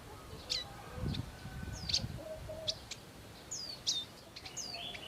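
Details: Bar-winged prinia parents with young in the wild: sharp high chirps and quick downslurred whistles, irregular and fairly busy, with low rustling noise in the background.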